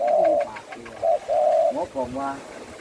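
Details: A spotted dove at a friend's house in Ubon Ratchathani province, Thailand, gives low, hollow coos in a short phrase, with a man speaking over the end.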